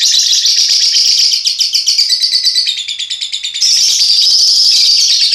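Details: Lovebirds being paired, giving continuous high-pitched rapid chattering: dense repeated chirps in a steady run, briefly softer and pulsed in the middle before returning loud and shrill.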